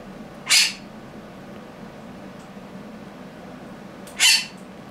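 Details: A pet monk (quaker) parakeet gives two harsh, rasping squawks, spaced several seconds apart.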